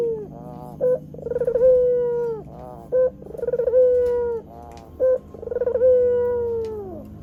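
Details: Lure call of a white Barbary dove for attracting wild doves and training birds: a short clipped note, then a bubbling rolled coo stretching into a long mellow tone, three phrases in steady succession.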